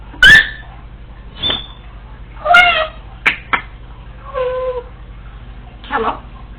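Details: Female Congo African grey parrot, alone at home, talks to herself, practising household speech and mimicked sounds: voice-like syllables, a rising whistle, sharp clicks and a flat humming tone, over a faint steady hum.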